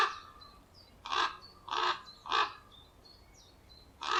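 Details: Common ravens defending the nest give four rough, grating croaks spaced roughly half a second apart, while faint high whistles of small birds sound in the background.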